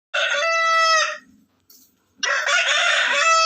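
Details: Two back-to-back crows from a natural rooster, each loud and harsh, with the second longer and more strained, separated by a brief pause and a faint low rattle.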